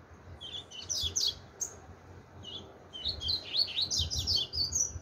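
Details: Chopi blackbird, song style 'tui tui zero zero': a short chattering run of sharp whistled notes, a pause with a single chirp, then a longer rapid sequence of bright, varied whistles.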